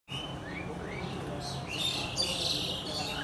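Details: A pair of house sparrows, known locally as goraya, recorded on a phone: short upward-sweeping chirps repeated irregularly, with a steady background hiss and brighter, busier chirping toward the end.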